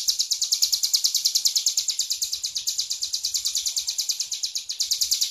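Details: Hill prinia, tame and singing hard in klowor style, pours out a continuous string of high, scratchy, pulsed notes at a steady fast pace, with faint low background noise.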